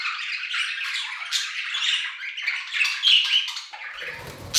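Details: Budgerigars singing in an aviary give continuous, buzzy warbling chatter, with scratchy and squeaky notes tumbling together without pause and a sharp squawk at the end.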